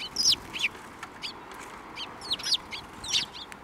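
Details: Several sparrows chirping as they fly in for food at a Tenmangu shrine in April 2024: bright, high, clipped chirps in loose clusters, some doubled, with brief pauses between bursts.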